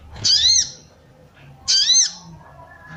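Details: Sooty-headed bulbul female, calling so that males come into breeding mood and sing. Two strident, buzzy notes about 1.4 seconds apart, each swelling and dropping, over light low hum.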